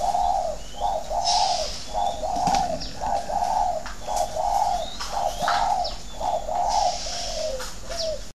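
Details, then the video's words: Thổ đấu còi cooing by a spotted dove from a Vietnamese farm in Ba Vì, Hanoi; a long run of rhythmic low coos with a clear beat, and occasional high chirps from other birds. "Thổ đấu còi"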